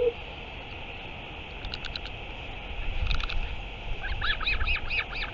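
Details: Northern royal albatross recorded 9 September 2023; faint arched calls near the start, then a burst of rapid, rising-and-falling squealing notes in the last second and a half over steady wind-like hiss.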